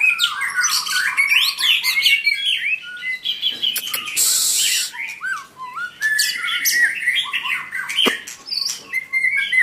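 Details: Long, varied song of a white-rumped shama, with rich whistles, rapid warbled runs and stepped up-and-down phrases. A brief hissing noise breaks in around the middle, and sharp clicks are scattered through.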